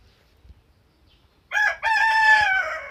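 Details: A rooster crows in the morning. After about one and a half seconds of near silence comes a loud, rich crow: a short clipped opening note, then a long sustained harmonic note that carries to the end.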